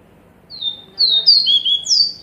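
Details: Purple-throated euphonia song recorded for training captive birds: a quick run of four clear, high whistled notes, each sliding downward, the last starting highest, over a quiet background.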